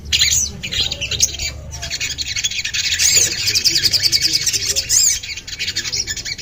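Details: Common iora (sogon) chattering continuously in high scratchy chirps, with a couple of brief whistled upslurs and faint low background noise.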